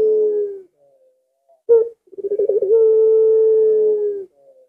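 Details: Collared dove (puter) cooing with its prized long 'lengkungan' ending: a fading steady note, a pause, a sharp short coo, then quick rolling stuttered notes that flow into a sustained level tone of about one and a half seconds.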